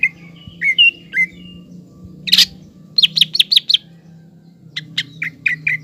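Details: Green leafbird in full song, used to stir a young speckled leafbird's temper. Rising whistles lead to a harsh burst, then a fast series of five crisp chips and a final set of quick notes over a low hum.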